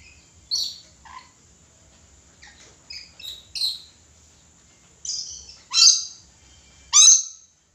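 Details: Red lory calling actively, giving a loose series of harsh, raspy shrieks of varying length, quiet at first and building to two loud, piercing screeches near the end, against a quiet background.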